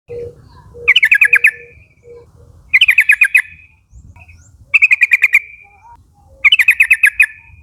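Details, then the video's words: Lively Yellow-vented bulbul call from a young wild forest flock, summoning its mates to call along. Four bursts of about seven rapid bubbly chirps, one roughly every two seconds, brief soft notes and low background rumble between. "pancingan suara burung trucukan nguplik gacor memanggil kawan ombyokan muda hutan agar ikut bunyi"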